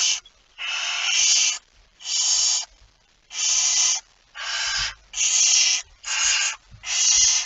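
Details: Barn owl with a mouse at 01:49 on 17 September 2019, at night: a series of seven rough, breathy hisses, each lasting about half a second to a second and coming about once a second, with only faint low rumbles between them.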